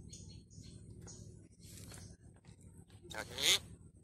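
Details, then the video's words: Pet common myna (shalik) kept as a talking bird: thin, high harmonic notes in the first two seconds, then a loud, harsh, rasping burst around three and a half seconds, over a steady low hum and soft background voices. "Funny talking bird. কথা বলা শালিক Salik pakhi"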